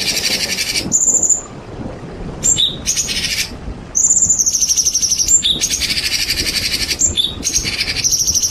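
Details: Champion white-rumped shama singing, mixed with rain sounds: dense, buzzy high rattling bursts alternating with short clear whistled notes, separated by brief pauses, over a steady hiss.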